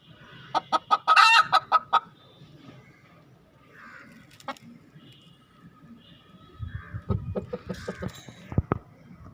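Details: Domestic hen calling just after laying an egg: a rapid burst of loud, harsh clucks in the first two seconds, a quieter lull, then another run of clucks mixed with low thumping noises near the end.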